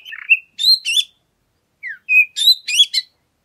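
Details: Oriental magpie-robin song used as a lure to provoke other birds into singing: a low buzzy note, then bright whistled phrases in two bursts separated by a short pause, with a falling slurred note before the second burst.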